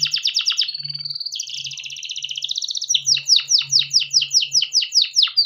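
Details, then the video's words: A domestic canary in long rolling song, played to teach young canaries: a quick stuttered trill, a sustained buzzy roll, then a run of loud, clear, downward-swept whistles about five per second. "burung kenari gacor panjang efektif buat pancingan kenari paud || canary singing"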